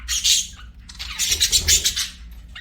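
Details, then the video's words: Budgies chirping and singing, loud scratchy bursts of rapid chatter, a short burst then a longer run of buzzy squawking notes. "BUDGIES SINGING & CHIRPING"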